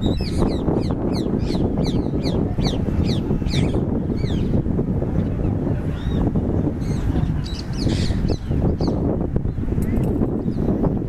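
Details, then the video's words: Lovebirds (called parakeets) in a playful mood at the Sabarmati river bund, Sabarmati Ashram, Gujarat, give quick, shrill, rising chirps in rapid bursts over steady wind rumble. "love birds"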